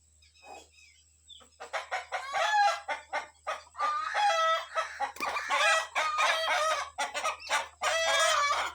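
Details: Domestic chickens, a rooster with his hens, let out to forage in the morning; the agitated rooster warns his family as kites fly overhead. Rapid harmonic clucks and squawky calls build up in dense bursts, several birds calling over one another.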